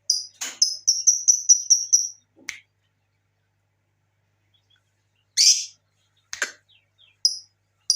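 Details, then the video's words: Lovebird call used as a lure to prompt other lovebirds to sing: a run of sharp, high chirps repeated rapidly for two seconds, then scattered clicks and brief harsh notes after a pause. "pancingan burung Lovebird"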